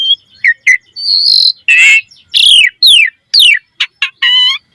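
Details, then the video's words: Lively Asian pied starling song, a lure for other starlings' repertoire: short chirps, a wavering whistle, a harsh rasping note, then steep downslurred whistles and a buzzy trilled ending. "Suara Jalak Suren Gacor Full Isian Mewah Auto Bongkar Isian Pancingan Burung Jalak Agar Isian Bagus"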